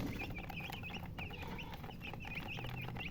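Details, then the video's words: Chickens chirping in rapid high peeps, several overlapping birds calling almost continuously against a constant low humming background. "silly chicken chirping sounds with murgi hen color chicken"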